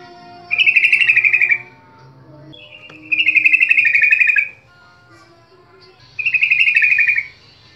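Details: Sooty-headed bulbul song played as a lure to prompt other bulbuls to sing. Three buzzy, rapidly pulsed chattering phrases, each about a second long, come at roughly two-and-a-half-second intervals over a faint steady hum.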